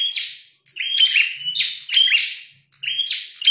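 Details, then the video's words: Red-headed prinia singing vigorously while fighting, giving loud sharp chirping phrases that slide and buzz, repeated in bursts about every second with brief pauses between. "Prenjak tarung gacor"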